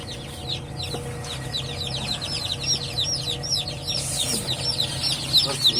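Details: Newly hatched domestic chickens, several chicks just starting to hatch, give a dense chorus of high, short, downward-sliding peeps repeated rapidly and overlapping, over a low steady hum.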